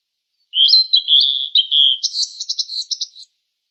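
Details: Song of a fork-tailed sunbird: a rapid string of high, sweet whistled slurs that turns into a fast series of buzzy, stuttering notes. The phrase lasts close to three seconds in otherwise clean silence.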